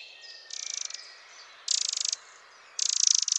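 Eurasian wren giving three loud, high, rapid rattling trills, each about half a second long, separated by short pauses.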